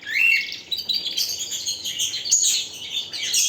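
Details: Canary in vigorous song, opening with a rising whistled note, then dense high chattering and buzzy trills that continue without pause.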